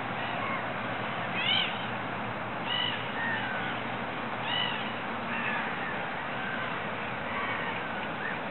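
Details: Water rail calling from a ditch in Regent's Park: sharp, squealing arched notes with overtones, spaced a second or two apart and fading later, over a continuous hum of distant noise.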